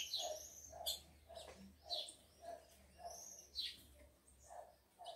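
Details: Breeder's captive tico-tico (rufous-collared sparrow) males and females: thin, high downslurred chirps about once a second, with a lower knocking pulse repeating steadily behind them.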